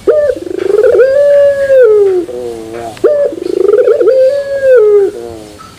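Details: Pelung turtle dove giving a metallic terasan song, two full phrases about three seconds apart, each a quick pulsed trill swelling into a long flat hum, then a lower drooping coo to close.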